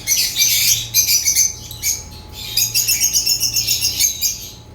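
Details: African lovebirds give bursts of sharp squawky chirps, then a run of quick, evenly pulsed chirps about three or four per second that fade out.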